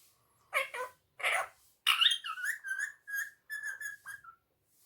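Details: Pet parrot, tagged as a ring-necked parrot, speaking Urdu/Hindi phrases such as Mitthu Bete and Mittu Kittu: a string of short harsh syllables followed by clearer, voice-like tonal syllables in a quiet room.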